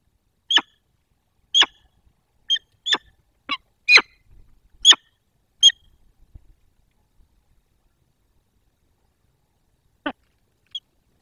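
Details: Peregrine falcons meeting at their nest, Barycz Valley, Poland, 22 October 2024. About eight sharp, clicking chips ring out roughly once a second, then a quiet spell broken by two last isolated notes.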